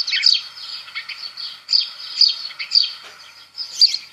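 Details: House sparrow, a bird easy to see and hear in parks and countryside, giving a run of bright, clipped chirps in quick bursts, with a steady high background hiss throughout.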